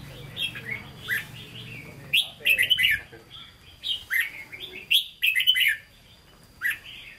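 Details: Caged red-whiskered bulbul performing Hue-style hót ché song: clusters of rapid, rich whistled and chirped notes roughly every two to three seconds, with crisp clicking sounds and a steady faint high tone.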